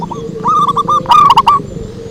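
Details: Zebra dove lure song: a short rolling phrase of rapid, clipped cooing notes at a steady mid pitch, with a few sharp clicking bursts near the end and a low background hum.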